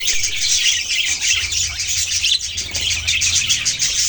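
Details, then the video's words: Budgerigars chirping: a dense, continuous wash of high, scratchy twittering and warbling from several birds at once, with no pause and a faint low hum beneath. "Beautiful Birds chirping sound"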